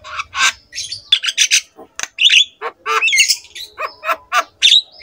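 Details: Javan myna singing a lively master song meant to prompt other mynas to sing: rapid chattering notes, raspy squawks and short whistled twists in a busy, broken stream, with a faint low rumble at the start.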